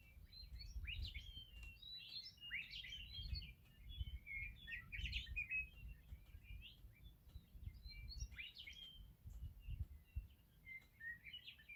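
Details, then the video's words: Meadowlarks singing in the morning: bright whistled phrases with quick downward slides, overlapping in a busy chorus of chirping birds, over a steady low rumble of background noise. "Sounds of Meadowlarks in the morning!"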